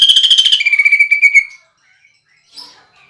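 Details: Greater green leafbird giving a coarse, rolling burst of mimicked phrases that smooths into a sustained buzzy note and then stops. Brief faint chirps follow. The song is a lure with woodpecker, kingfisher and fighting sparrow phrases.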